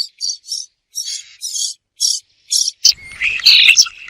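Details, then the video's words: A bird calls in short scratchy chirps separated by brief pauses, then breaks into a denser, more varied twittering phrase near the end, all high-pitched. "The sound of a bird"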